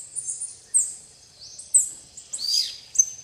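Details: Shrill, piercing chattering from plain parakeets eating bananas with tanagers at a private reserve in Guaramirim, Santa Catarina, Brazil, given in short squeaky bursts about every second, one rasping call sliding downward.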